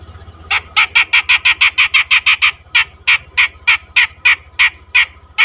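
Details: Grey-cheeked bulbul, a freshly caught bird now calling readily, giving a steady chattering series of harsh, grating notes, quick at first then slightly spaced, about three per second, over a low steady hum.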